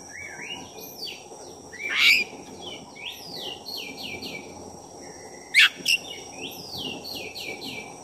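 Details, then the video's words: Black-breasted oriental magpie-robin singing to provoke another bird: series of rapid downward-sweeping whistles repeated in runs, broken by two harsh rasping bursts, over a faint steady hum. "Pancingan suara kacer dada hitam gacor efektif buat menaikkan emosi Kacer"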